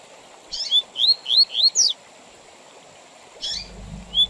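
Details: Double-collared seedeater giving the 'tui tui zel zel' song for tutoring young birds and tournament use: a run of five bright upslurred whistles ending in a buzzy note, a long gap, then brief notes, with a low rumble near the end.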